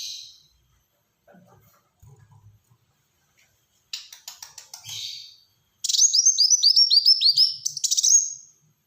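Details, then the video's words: Black-throated sunbird (Kolibri Wulung) delivering a dense, rapid burst of song: soft clicks and a brief rattle lead into a fast, even string of high, thin looping notes for about three seconds. "Burung Kolibri Wulung Gacor Tembakan Rapat"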